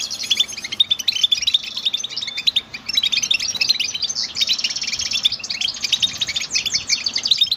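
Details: Goldfinch singing a long, fast stream of high tinkling chirps mixed with buzzy trills, nearly continuous with a brief dip midway; soft low hum underneath.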